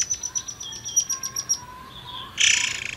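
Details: Forktail lure to encourage other birds to sing: a rapid series of thin, high, ticking whistles for about 1.5 seconds, then a loud pulsed buzzy rasp.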